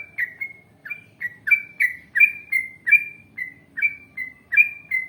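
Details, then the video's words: Lively yellow-vented bulbul in long wild-style song with rapid runs, used to make other bulbuls answer: an even series of bubbly, slightly buzzy whistled notes, roughly two per second, soft background hum. "Masteran Trucukan Gacor Ngalas Panjang Ropel Panjang ❗Ampuh Untuk Pancingan Trucuk Agar Bunyi Nyaut"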